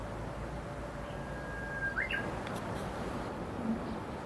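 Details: Japanese bush warbler in spring, 18 May 2016, Mizunuma Onsen in Midori, Gunma, Japan, surrounded by mountains: a held whistle rising into a brief flourish near mid-clip, set against a steady low background hum.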